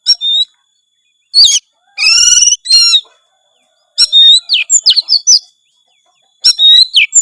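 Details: Gacor kacer, an Oriental magpie-robin, singing a full-isian song: crisp rising whistles, harsh rasping bars, then a fast string of sweet slurred notes, in phrases with short silences between.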